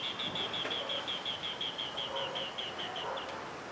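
A Green bee-eater gives a fast, steady run of short, high chirping notes, about four a second, over a low background rumble.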